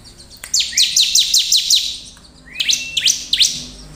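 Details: Bar-winged prinia in energetic song, used as a lure to provoke other prinias into singing. It gives a fast series of sharp, high, down-slurred chips, about six in a row, then a pause, a thin rising note and another burst of three.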